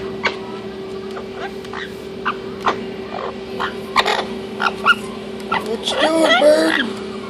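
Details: A pet orange-winged amazon parrot playing in and around its nesting box gives scattered clicks and short squawks, then a burst of speech-like, wavering chatter near the end, over a steady electrical hum.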